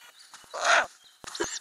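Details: Ural owl family inside a nest box with growing owlets, filmed in May 2020 by a camera under the lid; one loud, rough, hissing burst lasting about a third of a second, with faint scratching and clicks around it.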